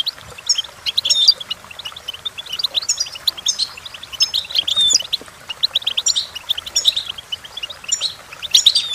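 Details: Goldfinch singing for tutoring purposes: an unbroken, dense twittering of tinkling chirps and short buzzy trills, with repeated bright liquid phrases throughout.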